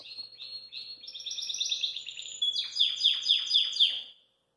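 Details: Belgian canary singing after eating kale, hopping outside its cage: a long rolling trill of rapid high notes that climbs gradually, then breaks into loud descending sweeps repeated about four times a second, with a faint low hum behind.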